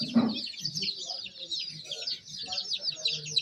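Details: Young chickens cheeping in a crowd: a constant wash of high, quick peeps, with a low muffled thump at the start and faint low murmurs underneath.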